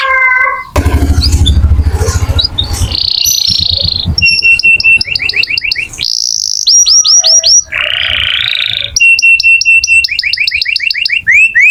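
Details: Singing canary used as a master song for magpie-robins: low broadband noise at the start, then varied phrases of quick upslurred notes, short trills and buzzy rolls in changing tours.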